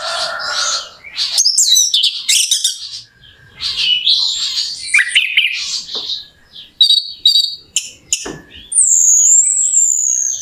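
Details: Orange-headed thrush song as a lure to excite a bird into singing: dense scratchy warbling and chattering notes, then clean whistled phrases and a long high wavering whistle at the end.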